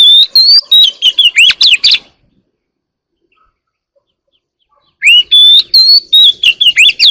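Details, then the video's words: Wild Oriental magpie-robin in full morning song: a dense run of varied whistles, slurs and sharp chips for two seconds, a three-second silence, then another lively burst. "kacer alam | warbler sings early in the morning || Chòe than hót đấu chim rừng quá sung"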